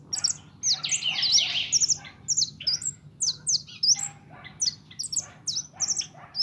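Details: Young captive European goldfinch, pintón, singing a dense jangling medley: a loud buzzy twittered passage opening, then a string of sharp high chirps in uneven quick succession.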